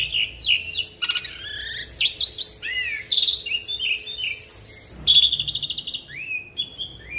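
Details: Asian pied starling in full, long rolling song used to prompt other birds to sing and as a tutor: varied whistled and slurred notes, short trills and chattering phrases, with a break near five seconds, over a steady high hiss.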